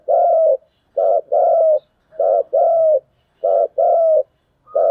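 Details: Spotted dove used as a decoy to challenge rivals, giving low, hollow cooing phrases: a short note followed by a longer drawn coo, repeated about every second and a half in a quiet setting.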